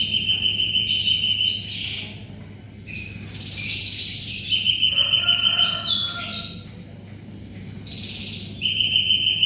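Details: Spirited canary song meant for tutoring white-rumped shamas. Steady, level trilled tours alternate with bursts of sharp, scratchy high notes and a few lower whistled strands, repeating over several phrases.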